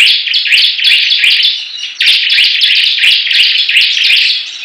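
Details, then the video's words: Competing Bar-winged prinias pour out a thick wall of high, chattering song, overlapping buzzy notes with short sharp ticks, barely pausing across the whole stretch. "Perang Ciblek Gacor"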